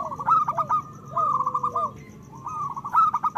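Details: Local zebra dove song used to arouse breeding urge: short loud spurts of rapid cooing beats, separated by lower drawn-out sliding coos, with a second bird answering.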